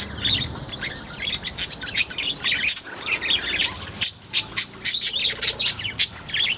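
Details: Sunda white-eye in a mini aviary, recorded 1 November 2024: energetic stream of high, piercing chirps and twitters, turning into evenly spaced sharp notes in the second half.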